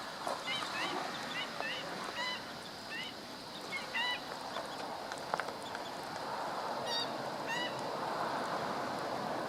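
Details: Black-winged stilt on 17 August 2013 calling in a quick run of sharp nasal yapping notes, then a pause and a second short burst, over a constant hiss.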